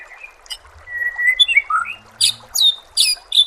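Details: Murai batu (white-rumped shama) masteran: a rich mix of rising whistles and slurred notes, then loud, sharp, squawky bursts about every half second toward the end.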